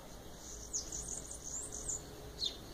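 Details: Bananaquit (cambacica) singing: a high, thin, buzzy run of quick wheezy notes, with a short sharp note at the end over a low background hum.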